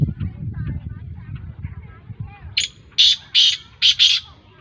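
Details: Black francolin (kala tetar), described as a Sindhi-strain bird, gives a harsh, grating call of five loud buzzy bursts in quick succession near the end, after a stretch of low rumbling background noise and faint chirps.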